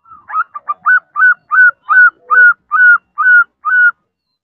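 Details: Female zebra dove calling a male: a clean series of about ten short whistled notes, each rising then holding level, repeated roughly every half second in a steady rhythm.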